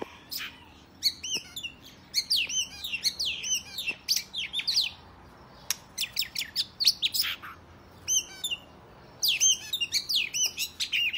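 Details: Oriental magpie-robin in fighting song aimed at goading other males to spread their tails; loud bursts of sharp clicks, sweeping whistled notes and chattering phrases separated by short silences.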